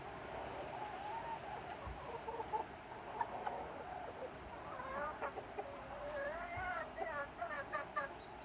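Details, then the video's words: Chickens and roosters in summer, a flock calling together: wavering, rising-and-falling clucks and drawn-out squawks overlapping, busier in the second half with stacked bursts, over steady low background hum. "Chickens and roosters enjoying summer time - Real chicken sound effect"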